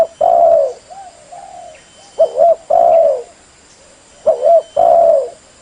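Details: Female spotted dove giving her call to excite males: deep, mellow coo phrases, a short note followed by a longer drawn-out one, repeated roughly every two seconds with quieter single coos in between over a faint constant hum.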